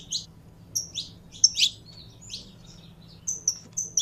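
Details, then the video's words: Saffron finch, a kept bird being warmed up and fired up, giving scattered high, sharp chirps and short buzzy notes in small bursts separated by pauses, over a faint low hum. "Canário da Terra Esquentando em 3 2 1!!!"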